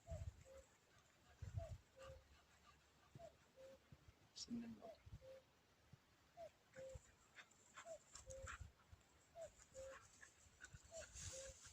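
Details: A common cuckoo gives its falling two-note 'cuck-oo' about eight times, one pair every second and a half, in hot weather in a forest recovering a week after a fire, over quiet talk, low rumble and faint chirps of other birds.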